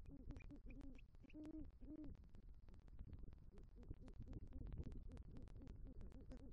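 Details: A great horned owl at its southwest Florida nest tree on a November night, the male calling for the female after bringing rodent prey; steady low hoots with two louder ones near the middle, over crackling noise.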